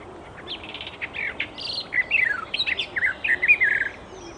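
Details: Wild Icterine warbler singing: a fast, varied run of high chirps, with short repeated notes early on, then slurred whistles and buzzy notes sliding up and down, all closely packed against a quiet background.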